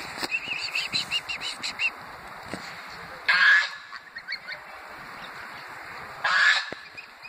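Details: Greylag geese beside the Thames at Iffley Lock, Oxford, England, give a quick series of short, nasal calls, then two long, harsh honks a few seconds apart over a steady background hiss.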